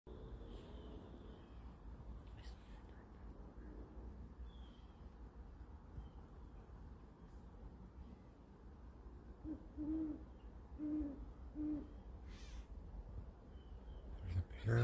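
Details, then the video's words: Pair of great horned owls facing off with a hawk, defending their home: a short series of deep, soft hoots about one a second over a steady low outdoor rumble. "Great Horned Owls"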